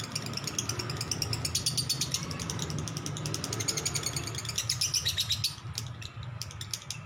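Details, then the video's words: Lovebird chattering in the long 'ngekek' style, fast high scratchy notes over continuous low humming noise, the run thinning into separate clicks near the end. "lovebird ngekek panjang"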